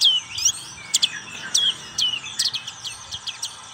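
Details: Black-capped white-eye giving rapid high twittering song, clear downward-slurred whistles followed by a quickening series of short chips near the end.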